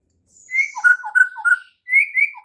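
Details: A white-rumped shama's morning training song, used to coax other shamas into song: a short string of mellow whistled notes, a pause, then more clear whistles.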